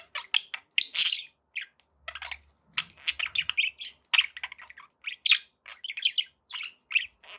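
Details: Budgerigars kept as pets chirping busily, bright short tweets and scratchy notes in rapid uneven series, with faint soft thumps in the background.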